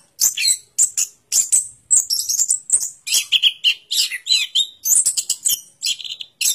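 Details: Quick, sharp high notes from an orange-headed thrush, about two per second, mixing piercing chips with lower slurred whistles in a varied, irregular sequence.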